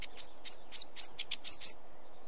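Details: Sedge warbler uttering a sparse series of high, dry chip and churr notes, roughly four per second, growing slightly louder toward the end.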